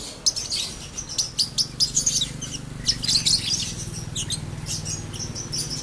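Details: Caged lovebird of unpedigreed mass-market stock, kept as a pet for two years, giving the long 'ngekek panjang' trill: a dense, continuous stream of high, shrill chattering chirps running throughout.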